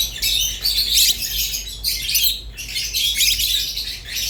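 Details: Pair of lovebird species, rosy-faced and Fischer's, twittering: bright, shrill chirps and whistles in dense bursts that swell and fade roughly every second, with short quiet gaps between them.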